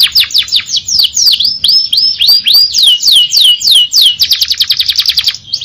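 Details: Canary in the Indonesian gacor ngerol nembak singing style: fast, continuous rolling trills of bright, high, downward-sweeping whistled notes, some long swooping glides, ending in a rapid stuttering run.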